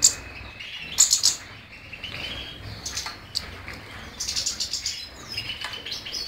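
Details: Song of a European goldfinch: bursts of sharp, tinkling high notes at the start, then quieter twittering phrases and a renewed lively chattering run near the end.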